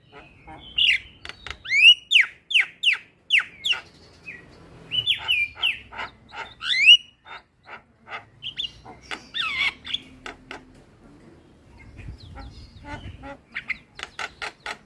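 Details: Black-winged myna training song meant to get a reluctant bird singing: rapid sharp rising whistles in repeated series, interspersed with clicks and chatter, with quieter stretches and faint low rumble.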